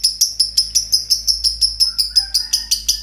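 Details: A pair of green lovebirds in a long ngekek session, pouring out an even, rapid run of high chattering notes, roughly five per second, shrill and unbroken across the whole stretch, over a low background hum.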